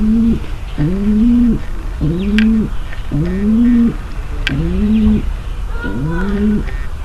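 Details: Seven regular, throaty coos from a female pigeon calling to prepare the male for mating, each curving upward and cutting off, with occasional sharp taps.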